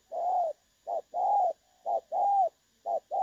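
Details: Spotted dove voicing the clear 'đồng son' style, used to lure doves into traps, 16 August 2024. Rich coos alternate short and long, the long ones slightly rising then falling, about once a second. A soft tone lingers between them.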